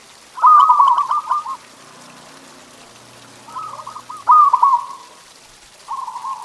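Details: Zebra dove song for prompting kept doves to sing: a loud trilled cooing phrase opens, a quiet gap follows, then two more bursts of quick stuttering coos and a short final run starting.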